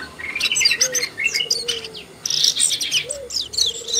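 Asian brown flycatcher: quick, thin, high chirps and twittering notes in a busy, almost continuous run. Soft low whistles sound underneath now and then.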